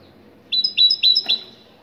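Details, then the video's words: Brief phrase from a Moroccan great tit, three clear high whistled double notes in quick succession, ending abruptly. "تغريد الحداد المغربي الأصيل"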